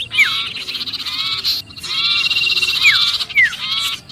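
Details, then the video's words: Trapped sirpu distress chatter used as a bird lure: clusters of curved chirps separated by short pauses, with sharp falling whistles near the end over constant buzzing. "suara pikat sirpu Ribut kejepit"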